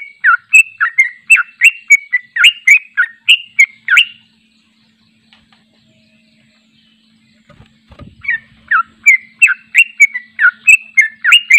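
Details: Sooty-headed bulbul singing its long trilling song, unedited, for training: fast bubbly whistled notes for four seconds, a quiet gap with faint hum and a knock, then the rapid phrases return.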